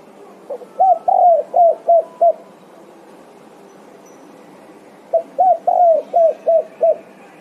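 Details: Spotted dove calling eagerly to its companions, giving two matching phrases of six soft, rhythmic coos, each with a drawn-out third note, about three seconds apart, with a low hum behind.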